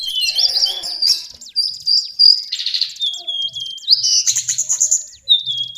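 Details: Song of the lesser shortwing (cingcoang coklat) for tutoring cage birds: high, sweet whistled notes, some held and some slurred, broken up by fast rattling trills and rapid ticking series.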